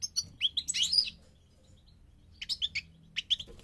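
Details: A goldfinch sings during migration: a burst of twittering and buzzy notes, a short silence, then a few clipped high chirps in two small groups.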